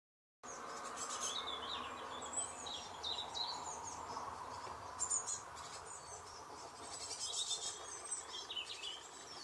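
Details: Two hungry great tit chicks in June 2020 begging for food from their parents: high, raspy, rapid begging calls in irregular bursts, with a faint steady background hum.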